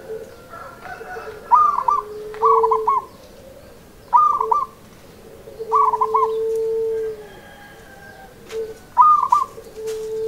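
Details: Local zebra dove singing: repeated short bursts of rapid, quavering coos, each followed by a pause. A long, steady lower whistled tone sounds between the phrases.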